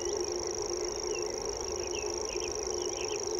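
A common grasshopper warbler reels without a break, a very high, dry, insect-like trill held at one pitch, with faint chirps from other birds and a low background hum.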